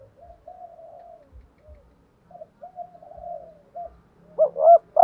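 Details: Spotted dove decoy coo in the 'thúc gù' manner, used to rouse other doves: a run of soft, low, wavering coos, then a sudden loud looped double coo and the start of a strong drawn-out coo.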